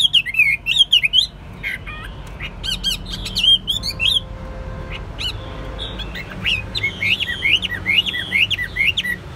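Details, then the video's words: Chinese hwamei in captivity, untrained and keen to sing, opens with bright zigzagging whistles, drops to quieter scattered notes midway, then returns to loud looping whistled phrases over faint room noise. "Hót tốt, Đấu tốt. Siêng mỏ, giọng hay"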